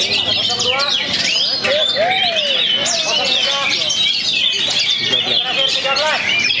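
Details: Oriental magpie-robin bred in Perbaungan, after moulting, pouring out a continuous medley of sweeping whistled notes, rising and falling slurs and rapid chattering phrases, with some lower mellow whistles and a steady background hum.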